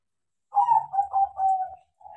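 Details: Tame crossbred zebra dove, trained to sing, giving one rolling cooing phrase: a bright opening note followed by three or four throbbing, slightly descending coos that fade, then a fresh note starting at the end.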